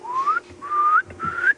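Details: Pearl-spotted Owlet calling in a June afternoon game drive at Djuma Game Reserve, near where a leopard slunk off: three clear rising whistles, each climbing higher, over a faint low rumble; Pearl-spotted Owlet.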